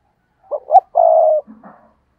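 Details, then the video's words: Single stuttering 'gù cà lăm' phrase from a decoy spotted dove provoking rivals: two brief rising notes, then a long, slightly falling hoarse coo, ending in a few faint low murmurs. "Gù Cà Lăm - Chim Cu Mồi Thúc Gù Kích Bổi Cực Nhạy"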